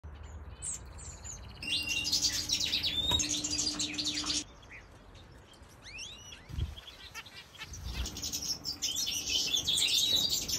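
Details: European goldfinch kept in an aviary, singing in bursts of bright, high twittering chirps and liquid trills, with a quieter gap midway and a faint steady low hum underneath.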